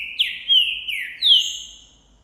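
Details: Green-winged saltator, Trinca Ferro Boi type, recorded January 2024 while singing excitedly toward a female; a brief fragment of three or four loud downward-sliding whistles with a thin high overtone.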